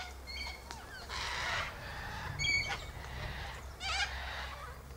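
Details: Sulphur-crested cockatoos gathered high in a silky oak, eating seeds from the pods. Short harmonic squawks are scattered through the clip, with a harsher burst near the start and wavering calls later, all over a low steady hum.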